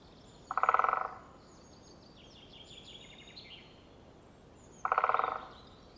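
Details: Great Spotted Woodpecker drumming to communicate and be heard: two brief, rapid rolls of knocks about four seconds apart, each under a second long and speeding up toward the end, with faint songbirds twittering behind.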